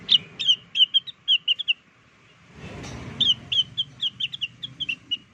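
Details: Blue-winged leafbird song used as a lure: two phrases of fast, evenly pitched chirping whistles, split by a brief rush of broadband noise, the second phrase longer with around a dozen notes.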